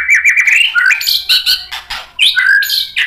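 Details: White-rumped shama singing loudly and continuously, with rising whistled slides, bright chattering bursts and quick trills delivered in dense succession; slight low hum behind.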